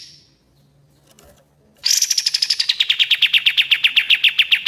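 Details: Master song of the common iora (kapas tembak) for bird training: faint sounds, then a sudden loud trill of rapid repeated notes beginning high and gliding lower, each note a quick downward slur, steady and insistent.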